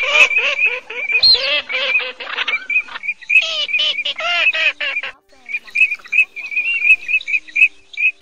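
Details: Male and female cotton pygmy geese calling, recorded as a night net-trapping lure for migratory birds in the August 2024 season; dense nasal cackling notes for five seconds, then a series of sharp repeated whistled notes.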